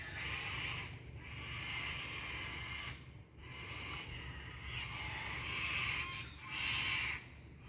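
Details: Wild cockatoos calling in winter while cherry tomatoes are picked: long, grating screeches follow one another almost without pause, some louder and harsher near the end, over a constant low background rumble.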